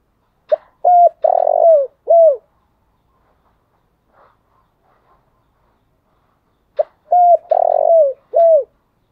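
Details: Spotted dove decoy bird calling in the morning: two phrases about six seconds apart, each a short note, a level coo, a long buzzy rolling coo and a falling coo, with near silence between.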